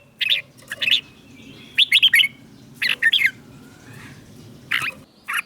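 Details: Red-whiskered bulbul from Thailand, southern master-song style, a recording for exciting caged birds and teaching young ones: scattered clear single notes and two brief warbled phrases, softer, with a low hum throughout.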